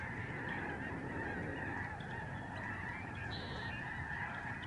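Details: Thousands of migrating Lesser Snow Geese calling as they fly over a Canadian bird sanctuary in November 2011. Countless overlapping honks form a constant, even wall of sound for the whole stretch.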